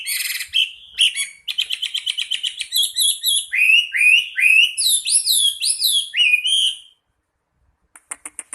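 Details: Chinese hwamei, a national champion singer kept as a master songbird, delivering a loud, varied song: a rapid series of repeated chirps, then rich whistled phrases sliding up and down, ending in a pause and a few faint clicks.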